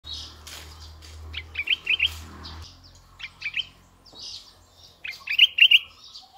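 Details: Red-eyed bulbul decoy bird calling: short bright bubbly phrases of two or three quick notes, repeated in bursts, with softer chirps between and a low steady hum underneath.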